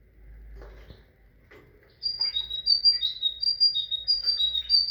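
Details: Song of a tit: after two seconds of faint low rumble and scattered clicks, a sustained series of clear, high alternating whistled notes, paired high-low, repeated quickly until the end.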